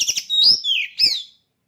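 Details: Contest-ready caged oriental magpie-robin: a short phrase of quick chirps and then clear, slurred whistles dipping and rising, ending abruptly with silence after.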